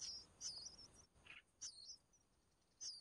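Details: Young red-whiskered bulbuls fed by the mother bird give thin, high, wavering squeals in short spaced bursts, with one soft raspy note in the middle.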